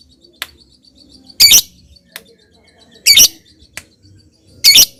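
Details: Lovebird sounds used as a lure to coax another lovebird into ngekek and ngetik singing: three loud, harsh, shrill bursts about a second and a half apart, with faint high ticks between them.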